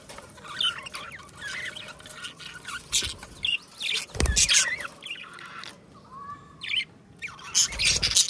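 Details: Two pet budgerigars singing and chattering together: soft, scratchy warbles and quick chirps, irregular and continuous, over a steady background hiss with occasional thumps.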